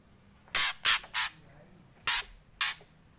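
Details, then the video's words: Harsh rasping kretekan bursts of a White-rumped shama, three in fast succession, then a pause and two more, each a short noisy crackle in near silence. "Kretekan Murai Keras"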